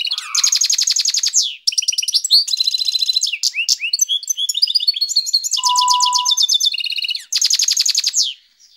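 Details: Russian canary singing a long unbroken run of fast, dense trills and rolls, each tour lasting one to two seconds, with brief chirps between and a low pure whistled note near the end.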